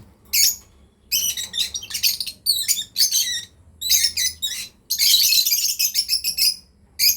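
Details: High, rasping chirps from a breeding pair of lovebirds come in groups, building to a long unbroken chattering burst near the end.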